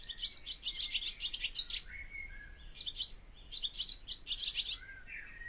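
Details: Barn swallow (Hirundo rustica) song in clipped bursts of quick, high twittering and scratchy chatter, each burst ending in a drawn-out slurred note, repeated about every second and a half.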